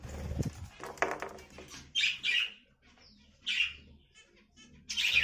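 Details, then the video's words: Budgerigar producing scratchy, high chirps in short bursts about a second and a half apart. A clattering, fluttery noise comes first, and a low hum sits in the background. "Budige parrot"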